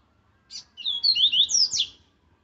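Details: Aggressive song of a caged rusty-collared seedeater, kept for training birds: one brisk, high phrase of quick slurred whistles, rising and falling, introduced by a short buzzy note, in a quiet setting.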